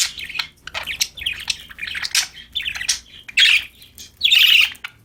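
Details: Budgies chirping happily as they play: a fast run of short, scratchy, warbling notes, then two louder, longer harsh chatters near the end.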